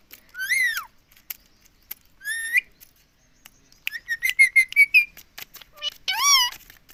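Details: A pet Indian ringneck (rose-ringed) parakeet repeatedly says "Mummy", giving four bursts of nasal, speech-like syllables with a quick run of short squawky notes in the middle and brief quiet gaps between.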